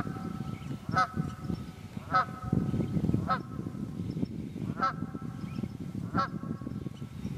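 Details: Wild geese, Quehanna Wild Area, Pennsylvania, 27 February 2018, honking about once a second with loud, ringing nasal calls through a strong low rumbling background.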